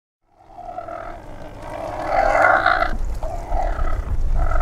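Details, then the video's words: Cormorant giving deep, guttural, growling croaks that swell and fade over several seconds, with rough harmonic bands and a steady low rumble underneath. "Баклан. Голоса птиц"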